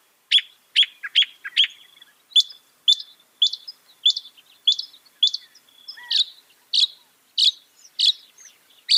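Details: Northern mockingbird song mimicking other birds: a steady series of short, sharp chirps and chips repeated roughly every half second, with the phrase types changing partway through, some notes buzzy and others clear.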